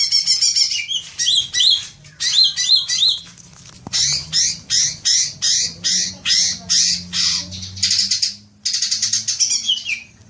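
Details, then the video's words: Green leafbird lure recording meant to prompt long chattering: harsh buzzy notes repeated in quick rhythmic bursts, about two per second, some sweeping and downslurred, with a short gap mid-way before a dense rattling run. "Pancingan suara cuca ijo agar cepat ngekek panjang"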